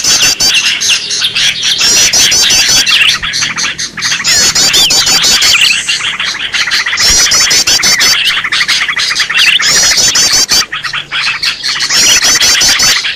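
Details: Green leafbird in a noisy 'ribut' calling bout used for bird luring: bursts of shrill rapid chatter and buzzy trills about every few seconds, overlapping whistles, with brief quieter gaps between bursts.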